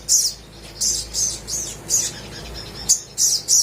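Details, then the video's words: Little spiderhunter (sogok ontong) in lively song, played to prompt silent birds to sing: about eight high, sharp, squeaky chips spaced roughly every half second, each a short bright note. "PANCINGAN SOGOK ONTONG GACOR DOR COCOK UNTUK BURUNG MALAS BUNYI DAN BAHAN AUTO IKUT GACOR!!!"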